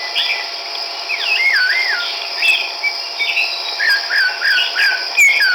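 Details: Chestnut-backed laughingthrush in Kachin State, Myanmar, recorded 17 March 2010: looping, wavering whistled phrases and short slurred notes, irregularly spaced, against a constant high-pitched insect hum.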